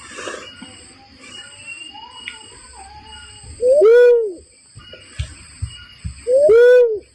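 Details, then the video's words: Barred cuckoo-dove call played as a trapping lure: two loud, rich, hooting notes that swoop up then down, about three seconds apart, with quiet steady high whining tones and faint clicks behind. "SUARA PIKAT BURUNG UNCAL LORENG"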